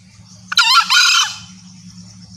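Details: Female green junglefowl lure call, used to draw males close: one loud, harsh two-part call lasting under a second, rich in stacked harmonics, over a steady low hum and faint insect hiss.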